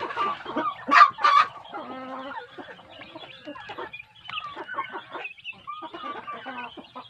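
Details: Large kampung chicken chicks raised on good feed, a group giving clucking, harmonic calls, with two louder bursts near the start, then softer stacked clucks and short chirps continuing throughout.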